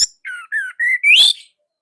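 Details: Orange-headed thrush from Indonesia, a songbird hobbyists' bird with a tight, loud voice. A brief run of four clear whistled notes: two falling slurs, then a level note and a louder upward-sweeping final whistle.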